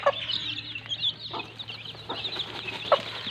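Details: Mama hen and chicks in mud: a continuous stream of high chick peeps with a few scattered short clucks, a sharp one near the end, over a constant low hum.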